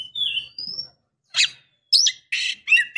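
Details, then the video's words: A female Oriental magpie-robin calls to a male with a short rising whistle, then isolated raspy buzzes and a twisting whistled note, each burst separated by brief silences. "KACER BETINA Memancing KACER JANTAN"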